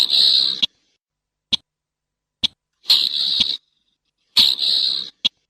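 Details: Slaty-breasted rail: harsh grating rasps lasting under a second, each ending in a click, with lone sharp ticks spaced about a second apart in the pauses; no background noise.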